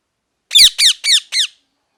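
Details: Parrot calling: four loud, harsh, harmonic notes that each slide downward, given in quick even succession about a quarter second apart, with a quiet background.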